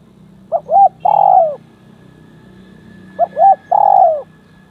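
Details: Spotted dove, a decoy bird placed beside a bold, aggressive rival dove, giving two phrases of mellow cooing: a short rising note, a quick double coo, then a long drawn, falling coo, with a low hum underneath.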